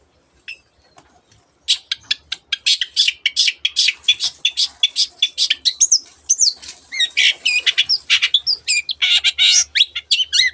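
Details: A long-tailed shrike that mimics canary and many other birds delivers a fast, dense run of clicking, chattering and twittering notes, shifting into varied whistles and buzzy phrases, almost without pause.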